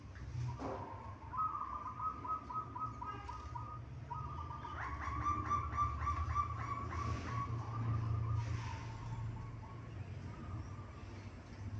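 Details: Local Indonesian zebra dove giving a rapid, steady run of soft, staccato cooing notes on one mid pitch, lasting several seconds, with a brief pause and then a resumption; low rumbling background noise throughout.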